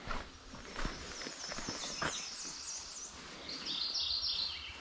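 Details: A Mourning Warbler sings a short run of bright, rolling, two-part notes at a quick pace, on an early June morning in grassland with ponds in Michigan's Upper Peninsula. Footsteps and steady outdoor noise run underneath.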